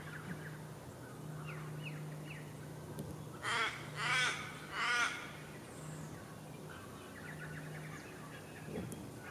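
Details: Brown Thornbill in Victoria, Australia, September 2015, giving three harsh, rasping notes in quick succession, over a low steady drone and faint chirps from other birds.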